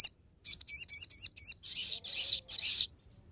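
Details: Crested jay 'tembakan' song recorded to train other birds and draw them into singing: five quick warbled high notes followed by three longer harsh, buzzy bursts, all at high pitch.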